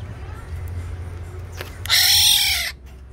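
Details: Tame captive Sumbawa black-naped oriole gives a single harsh, rasping, nasal call lasting under a second, over a low background hum.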